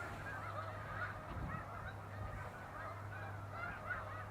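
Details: Flocks of wild snow geese during spring migration in Canada, 26 April 2015, flying up from the water to feed in fields; distant, soft overlapping honks with short upward-bending notes, over a steady low hum.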